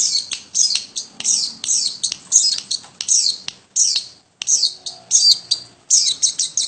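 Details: A long-tailed shrike in a home setting sings harsh, squawky high notes in quick clusters, roughly one and a half per second, broken by one short silence midway.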